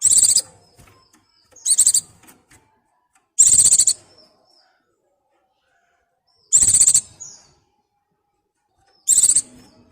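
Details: Mountain white-eye (pleci) in breeding condition calling a partner, giving five brief, shrill, high-pitched chattering bursts at irregular gaps of one to three seconds, clean and loud against a quiet background.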